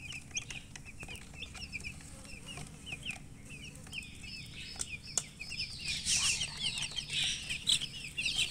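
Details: Baby chickens newly hatched, calling in quick high peeps, roughly two per second, growing into a louder, denser chorus with hissy noise toward the end.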